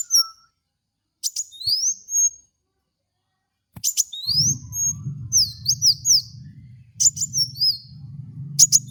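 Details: Kolibri wulung (Van Hasselt's sunbird) singing on a lure track for training caged birds: high ticks and sweeping thin whistles in short bursts, with a steady low hum underneath in the second half.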